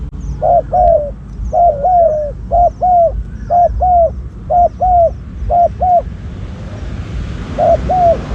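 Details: Cooing from a spotted dove decoy set to attract wild doves. Paired coos repeat about once a second, then pause before a final pair. Faint high chirps of other birds sound early on, and hiss rises near the end.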